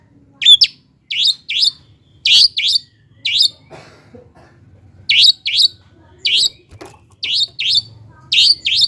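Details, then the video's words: Long-tailed shrike, played as a lure to prompt reluctant birds to sing. About thirteen harsh, rasping two-part notes come in irregular bursts, with a brief soft clatter midway and a low background hum. "PANCINGAN CENDET MALAS BUNYI AGAR GACOR"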